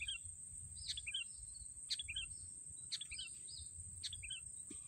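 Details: Sooty-headed bulbul during snare-stick bird catching; brief two- or three-note descending phrases repeated roughly every second, steady and even, with a persistent high whine behind them.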